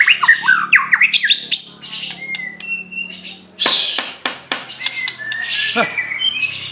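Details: Aceh white-rumped shama, or murai batu, in full song: rapid varied phrases of slurred whistles, clear pure notes and harsh rasping bursts, with a few sharp clicks mixed in.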